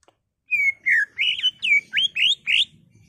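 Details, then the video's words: Caged greater green leafbird singing vigorously to provoke others: a string of about eight loud, drawn-out whistled phrases, each sliding or curving in pitch, with a faint low rumble underneath. "CUCAK IJO GACOR EMOSI BONGKAR ISIAN NGENTROK/ PANCINGAN CUCAK IJO BIAR EMOSI"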